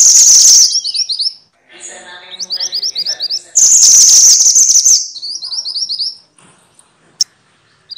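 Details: Noisy minivet, known locally as mantenan or sepah: loud harsh high bursts alternate with neat series of short rising chirps, ending in sparse clicks and near quiet.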